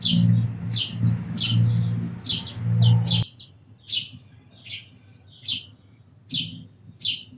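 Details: Sparrow chirping in bright, clipped notes, around eleven chirps; a steady low hum fills the first three seconds, then cuts out, leaving the chirps clearer.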